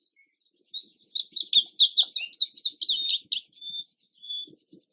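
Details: Indigo bunting singing a lively, high, sharp whistled phrase of paired downslurred notes for about two and a half seconds, ending in two thin level whistles, with faint soft knocks in the background.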